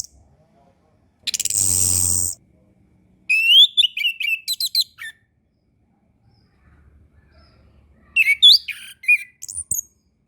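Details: Orange-headed thrush song, a master recording for young learning birds: a long harsh buzzy rasp, then rapid varied whistled phrases with fast sweeping notes, a pause, and another burst of twisting whistles.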